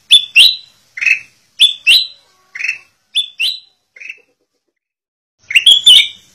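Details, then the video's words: Black-crested bulbul singing in a training master, giving a steady series of short two-note whistled phrases about every half second, then a pause of over a second before a denser closing burst. "Kutilang Emas Buat Masteran"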